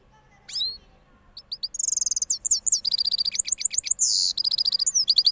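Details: After its moult, a cross goldfinch from Parachinar delivers a rolling song: a lone rising whistle, then quick bright chattering notes leading into a sustained buzzy trill and renewed twitters.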